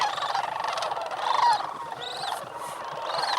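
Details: Chorus of sandhill cranes on a frosty morning (18°F), November 28, 2010, at Bosque del Apache National Wildlife Refuge in New Mexico, just after sunrise, before flying off to the refuge cornfields. Many overlapping rolling, trilled calls, with one call standing out midway.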